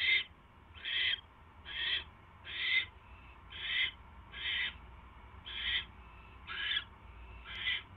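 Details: Owl pair, night of 24 January 2016, male bringing his mate a third mouse; a steady series of nine coarse, hissing rasps, roughly one per second, over a faint low hum.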